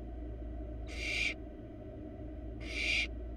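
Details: Barn owl nestling, wild, inside a research nest box: two rasping, breathy hisses, each under half a second and separated by about one and a half seconds, against a constant low background drone.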